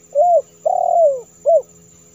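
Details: Spotted dove coo used as a lure for wild doves: a short arched note, then a long smooth note gliding downward, then a final short arched note, mellow and clear.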